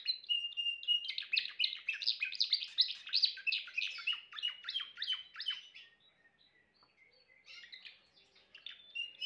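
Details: Timbrado canary delivering a long, dense rolling trill of rapid pulsed notes for about five seconds, then fading to a quieter pause before soft trilled phrases resume near the end.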